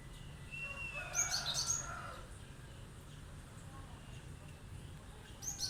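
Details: Cinereous tit firing off sharp song to draw answers from other birds: a gliding whistle and lower murmuring tones lead into a burst of very high chirps, then quiet before another high note at the end.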